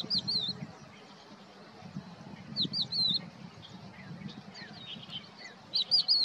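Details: At Poleg marsh, Israel, on 7 April 2022, a crested lark sings short, clear, fluting whistled phrases that waver up and down, in bursts every few seconds over a low rumble of wind.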